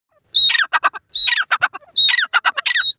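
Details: Francolin, called dakni teetar, giving three loud harsh calls. Each opens with a clear high whistle and breaks into rapid rasping, stuttering notes. The calls repeat roughly every 0.8 seconds over a quiet background.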